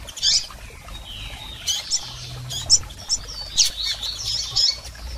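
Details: Double-collared seedeater calls from females and males, used to stimulate a male: sharp high chirps scattered through the clip with brief buzzy high notes between, several birds calling irregularly over a soft low hum.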